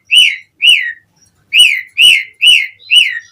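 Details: Asian pied starling giving repeated slurred whistles, a lure for other starlings: six similar descending notes, each about a quarter-second long, spaced about half a second apart.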